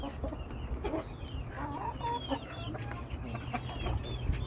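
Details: Chickens from a flock giving scattered thin, high slurred whistles and short lower clucking notes, fairly sparse, against a steady low humming background.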